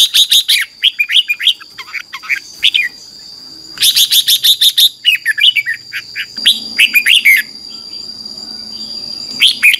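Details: Red-whiskered bulbul singing in the morning to spur a wild-caught bird: dense bursts of sharp chirps and warbled whistles, some fast repeated runs, brief gaps between, and a steady high-pitched drone throughout.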